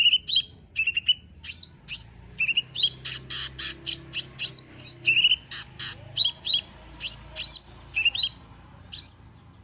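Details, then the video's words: Cucak ijo mini (lesser green leafbird) singing its full repertoire as a lure: a fast run of short paired whistles, then a dense stretch of harsh buzzy notes, then clear downslurred whistles again. "Cucak Ijo Mini 💯 Nembak Isian Bagus Buat Pancingan Jomin Malas Bunyi Agar Cepat Gacor"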